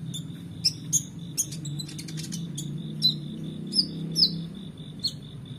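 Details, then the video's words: High-pitched song of a Van Hasselt's sunbird for training contest birds: sharp separate chirps and quick downslurred squeaks spaced about half a second apart over a thin steady buzz and low rumbling background. "KONIN GACOR EMOSI FULL BONGKAR ISIAN MEWAH‼️Cocok Untuk Masteran Burung Lomba"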